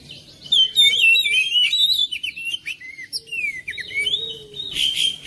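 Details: Oriental magpie-robin singing at home to encourage a silent bird: continuous varied whistles, trills and slurred notes, loud and fast, ending in a harsher, noisy burst.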